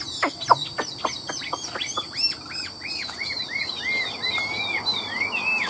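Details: A caged Chinese hwamei sold in Vietnam opens with sharp descending whips, then a run of clear arched whistles repeated about three per second, rich and ringing, over a faint constant hum.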